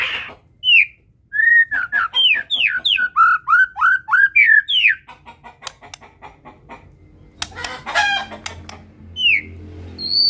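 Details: White-rumped shama of the Medan type singing loudly: a rapid run of clear whistled notes sweeping up and down, then sharp clicking ticks, a burst of harsh rasping notes and a few final short whistles over a low hum.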